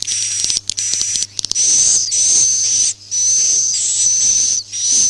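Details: Swiftlet farming lure in the "Masal" roosting style opens with rapid clicking ticks, then settles into sustained buzzy, hissing bursts topped by a level high whistle, broken by short gaps, over a faint background hum.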